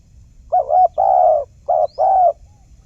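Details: Spotted dove call used as a lure for trapping wild birds: two paired coo phrases, each a short wavering note followed by a longer steady hoot, low and mellow, with a faint background hiss.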